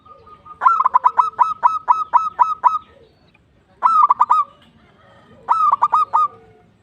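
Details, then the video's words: Local zebra dove in energetic song, used to encourage other birds to sing: a long run of eight quick stuttering coo notes, then two shorter rolling phrases, all bright and pulsed. "Manggung Bekur maXimal Perkutut Lokal Gacor menarik bunyi"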